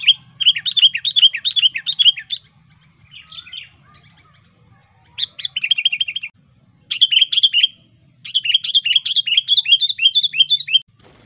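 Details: Wild sooty-headed bulbul giving a sharp song to call rivals: four bursts of rapid, repeated downward-slurring whistled notes, each lasting one to four seconds and separated by short pauses, with a few quieter notes between them.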